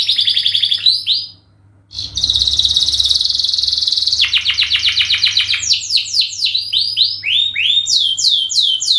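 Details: Canary giving a long lure song to draw other birds into singing: bright sweeping notes, a brief pause, then a sustained dense buzzy trill and rapid rolling repeated phrases of falling whistles.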